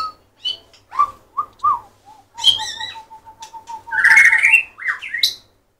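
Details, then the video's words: White-rumped shama (murai batu) song: low, mellow whistled phrases, then a rapid run of evenly repeated low whistles, breaking into loud harsh chattering and bright upslurred whistles. "shama/murai batu"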